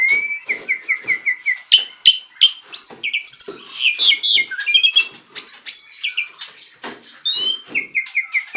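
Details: Jalak suren, the Asian pied starling, in full gacor, ngaruda song: rapid repeated whistled notes about four per second, swelling into a dense jumble of harsh chatter, rising slurs and buzzy bursts, then more steady repeated whistles.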